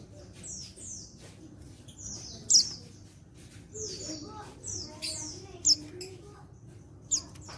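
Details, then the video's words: An untrained male white-eye from Pacitan, recorded 14/10/22, gives repeated high falling slurs and three sharp chip notes, calling to stir other white-eyes to reply; faint lower murmuring sounds beneath. "Panggilan Burung Pleci Jantan Bahan Pacitan Ini Bisa Bikin Yang Lain Ikut Nyaut"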